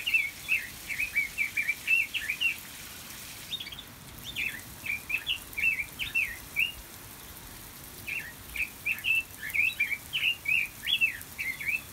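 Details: Aviary Pekin robin (red-billed leiothrix) giving a long, cheerful, rapid warble: chains of bouncing, upslurred and downslurred notes in two extended phrases with a brief pause between.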